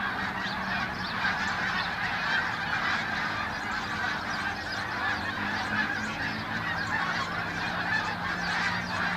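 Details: Numerous Canada geese passing overhead at Farnham in the early morning of 18 December 2015, giving a steady, crowded wash of honking calls that blend into one another, with a faint low hum beneath.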